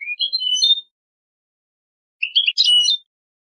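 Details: European goldfinch singing a clean Malaga-style song, recorded as a model for young birds to memorise: two short bursts of liquid, tinkling twitter, each under a second, separated by silence.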